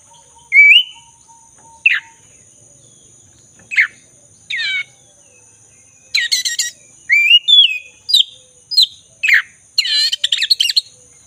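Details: Singing black-breasted magpie-robin, a lure for birds that stopped singing: spaced sharp whistled notes, then a dense stretch of rapid buzzy trills and bright slurred whistles, over a steady high-pitched hum.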